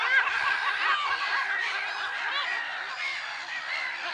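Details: Noisy black-headed gull chorus recorded 10 April 2011 at Lake Sarymsak, Pavlodar region, Kazakhstan: dense layers of rasping, rising-then-falling cries from many birds at once, loudest at the start.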